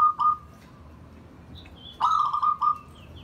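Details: Zebra dove kept as a pet, bonding and inviting other birds: a quick stuttering coo burst, a pause with faint high chirps, then a longer run of rapid staccato coos in two close pulses.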